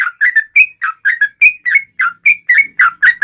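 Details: Yellow-vented bulbul singing in a taunting display toward rivals: rapid, bright whistled notes around two kilohertz, short rising and falling slurs repeated in quick bursts with brief gaps.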